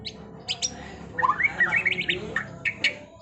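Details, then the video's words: White-rumped shama (murai batu) used as masteran training audio, a varied run of sharp high chips and rising and falling whistled phrases delivered quickly in a rolling sequence. "Masteran Murai Batu TRONTOLAN NGEROLLLLLLL Edan!! GACOR X Roll"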